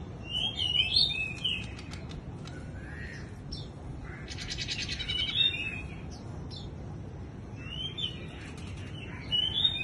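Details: Bush lark singing with wing-fluttering display: bursts of high twittering whistles separated by pauses and a loud buzzy flutter burst near the middle, song phrases returning toward the end.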